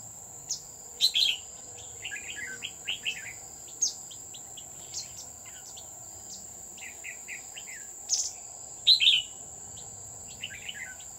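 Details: A decoy red-whiskered bulbul sings while birds are trapped at Núi An Phú near Chùa Hương, 20 October 2019. It gives clear, fast warbling phrases of several linked notes, repeated in two main bouts, with a constant shrill insect whine behind.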